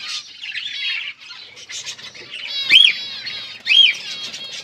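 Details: Aviary colony of zebra finches with nests, 15 October 2023: steady busy chatter of several birds, broken by two louder, sharp nasal calls about a second apart near the end.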